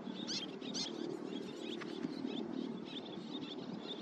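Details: Little tern (Sternula albifrons) at a breeding site in Bali giving harsh, high, rasping calls, two loud ones in the first second and fainter repeats after, over a steady low rumble of wind or surf.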